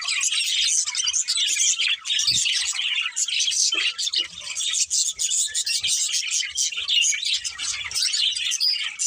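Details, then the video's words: Pet budgerigars kept as a pair, giving dense, continuous high chirping and warbling chatter with rapid scratchy notes and short squeaks, an unbroken busy stream with brief dips; a few faint low knocks in the background. "Cute Budgies Chirping Sounds"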